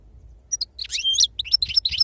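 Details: European goldfinch of wild stock giving a short burst of jumbled, buzzy twittering and chirps, with irregular high notes and faint background hum.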